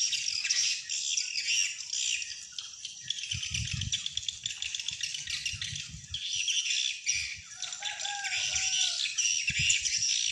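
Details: Swiftlet sound used as playback to draw wild swiftlets into a swiftlet house: busy, unbroken high chirping and twittering, bursts of low thuds, and a brief lower whistle near the end.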